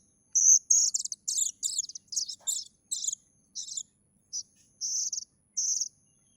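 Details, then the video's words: Plaintive cuckoo chick producing a rapid series of harsh, high rasping notes that slow into separate, longer buzzy calls, with little other sound. "suara anakan burung kedasih"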